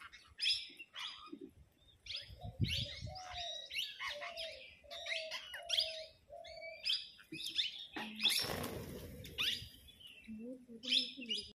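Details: Parrots in a flock arguing over food, giving rapid, scratchy chirps and screeches that overlap throughout, lower level tonal notes repeated in a row, and a sudden loud broadband burst of noise partway through.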